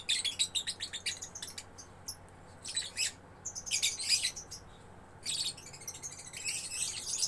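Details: A juvenile lovebird chatters actively, giving rapid clicking chirps at first, then louder shrill squeaky bursts and a long scratchy trill near the end. A soft electrical hum runs underneath.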